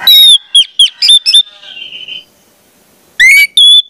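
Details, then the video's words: Orange-headed thrush song played to teach young speckled birds: loud pure whistles, a falling slurred note then short repeated whistled phrases, a quiet trailing warble, silence, and two strong rising whistles at the end. "pancingan anis merah, trotol dengarkan ini pasti jadi calon gacor"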